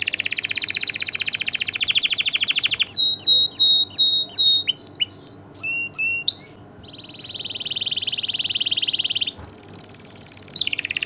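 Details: Canary singing to stir birds into mating and teach chicks: a fast trill, then spaced ringing whistled notes, a steady low rolling phrase, and a closing high trill.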